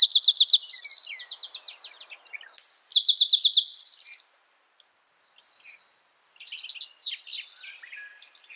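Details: Repeated spotted towhee song: phrases of quick, sharp notes ending in a rough buzzy trill, given three times. Other birds chip and twitter in between, over a steady high insect drone.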